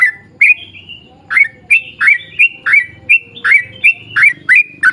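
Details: Lure song of a yellow-vented bulbul in 'ropel panjang' style, with bright chirps and short whistled slides coming quickly after an opening pause, over a noticeable low background rumble.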